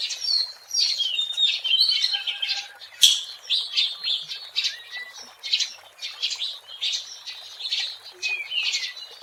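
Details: Kacer, the Oriental magpie-robin, singing vigorously outdoors, for use as a lure: rapid rhythmic chirps and whistled slurs, with a single sharp click near the middle and a steady chattering pulse afterwards.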